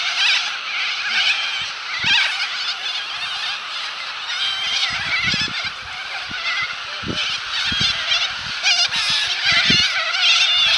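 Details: Cockatoos gathered on the Balerine, Victoria, keep up a loud, unbroken clamour of coarse, scratchy screams from many birds, with occasional low thumps beneath.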